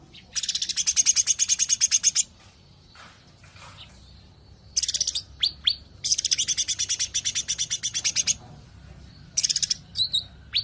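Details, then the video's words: Sooty-headed bulbul in 'tembakan rapat' (rapid-fire) song: four bursts of quick, high, rattling chips, each lasting one to two seconds, separated by pauses with a few short sliding squeaks; soft low background hum. "Tembakan Rapat Burung Cucak Ranting"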